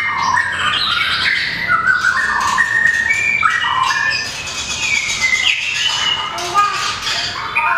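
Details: Long-tailed white-rumped shama in competition singing pours out a steady stream of clear whistled notes, slurred glides and quick chips, with people talking faintly in the background.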